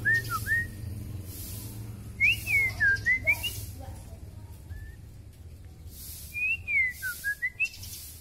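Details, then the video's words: {'text': 'Kalimantan white-rumped shama, a very long-tailed bird in heavy song with imitations, giving bursts of clear, looping whistled phrases separated by pauses, against a low hum and a rhythmic high hiss.'} "Murai batu K.L ekor terpanjang gacor mutah isian"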